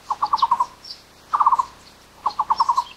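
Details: Taiwan barbet (Psilopogon nuchalis), endemic to Taiwan's low- and mid-elevation broadleaf forests, giving short bursts of hollow, low knocking notes, about six quick 'took' notes per burst, repeated; faint high chirps from other birds behind.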